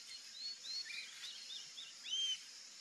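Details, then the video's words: Rufous-tailed jacamar (Galbula ruficauda) giving thin, high whistled notes, a few short slurred calls ending in a louder downslurred whistle, over a steady hiss of background insects. "RUFOUS-TAILED JACAMAR (GALBULA RUFICAUDA)"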